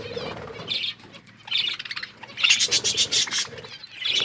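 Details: Budgerigars chirping during feeding, short bursts of high chattering squeaks and buzzy warbles separated by quiet gaps, with light rustling between.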